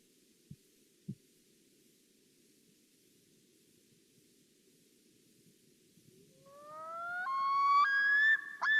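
A Common Loon gives a rich, wailing cry that swells and climbs in pitch, then breaks into higher yodel-like steps. Before it there is near silence with two soft knocks.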